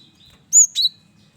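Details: Male cinereous tit used to draw in other birds: one high clear whistle and a lower buzzy note, a short two-part phrase.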